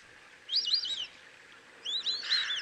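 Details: A White-faced Whistling Duck in Kruger National Park gives two quick bursts of clear, high whistles, each a run of three or four sliding notes, over a quiet background.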